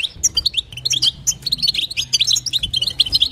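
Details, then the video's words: Stimulating call of a female European goldfinch toward a male, a 'batbata' and 'sitsita' style: scattered high chirps that speed into a busy, tinkling twitter, with a soft low hum behind. "نداء انثى الحسون لتحفيز طائر الحسون | بتبتة وستسته جديده"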